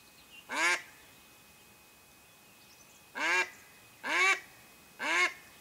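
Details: Quacking of a Mallard hen used as a decoy to draw ducks in for hunting: one harsh quack, a pause of over two seconds, then three more quacks about a second apart over a faint background hiss.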